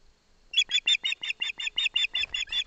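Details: Osprey chick at a nest in Barlinek Forest, with its mother beside it, receiving a fish from its father: after a half-second pause, a fast series of loud, sharp, harmonic chirps repeated about five times a second.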